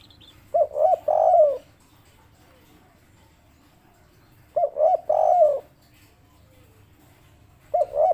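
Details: Local spotted dove of the "kuk 3" type repeating a compact phrase about every four seconds: two quick notes followed by one long, rough, falling coo.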